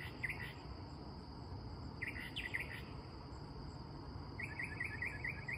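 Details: Mockingbird singing at night, almost without stopping all night, possibly distressed after its tree was cut down a couple of days earlier. Short chirpy phrases come at the start and around two seconds, then rapid repeated notes, over a steady high insect drone.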